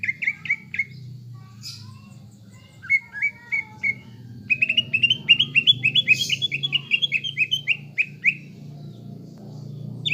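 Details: Greater green leafbird lure song aimed at giving caged birds a fighter mentality: short groups of clipped whistles, a few harsh squeaks, then a long rapid rippling series of rising and falling whistles, nearly four per second.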